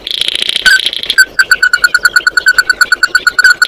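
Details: Oriental white-eye calling its flock: a brief high twittering burst, then a fast steady string of clear repeated notes, roughly three a second.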